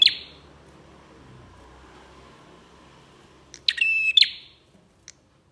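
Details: Bar-winged prinia singing as a lure for other prinias. A clipped note opens, then after a quiet gap comes one loud phrase: a rasping rattle over an even whistled tone, closed by a click.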